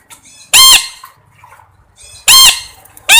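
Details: Two loud, harsh parrot screeches about a second and a half apart, each rising then dropping, with a third starting at the end and faint rustling between.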